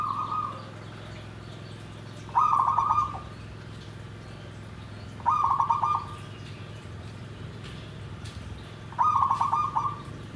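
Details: Zebra dove cooing in the style called nggandem gedhe garing. Four loud trilled phrases come roughly every three seconds, each a rapid stutter of coo notes, with quiet gaps and a faint background hum.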